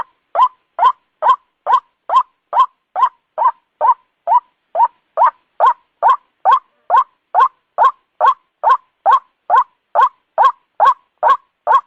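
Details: A White-breasted Waterhen gives short, hoarse croaking notes at night, repeated steadily about twice a second in an unbroken, monotonous series, used as a night lure call. No other sounds are heard.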